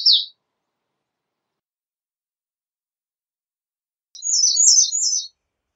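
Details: Variation in the song of the American redstart: a short falling note, then after a long pause a phrase of well-spaced, high, sharply slurred notes alternating up and down.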